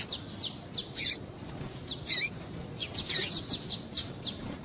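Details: A female double-collared seedeater gives calls meant to stir up males, as used by breeders before singing contests. Rapid series of short, high chirps, some dipping downward, bunched closely toward the end, with steady low background noise.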